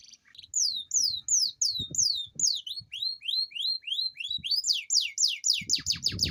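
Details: Canary in a long rolling song meant to stimulate lazy canaries to sing: a chain of descending whistles turns into rising slurred notes, then into rapid steep downward sweeps, with low knocking noises underneath.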